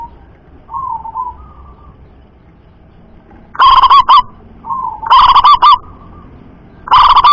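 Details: Local perkutut, a zebra dove prized for a loud voice carrying long distances, in a recording of males and females answering each other: three loud staccato coo bursts roughly every one and a half seconds, each preceded by softer, fainter answering coos.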